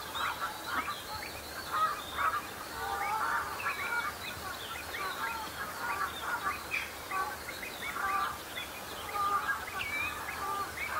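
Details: Sparring common shelducks in a flock at the start of the breeding season, sorting out rank and displaying to potential mates; a busy stream of overlapping nasal honks and chattering calls rises and falls throughout.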